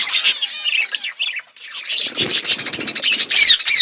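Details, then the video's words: A flock of budgerigars chatters while eating food, a busy, high warbling stream of chirps and squawks, with a brief pause before the chatter resumes more densely. "Birds chirping beautiful budgies flocks"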